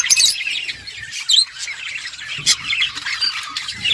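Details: Budgerigars playing with each other, producing scratchy chirps and sharp clicking squawks in irregular bursts over steady background chatter.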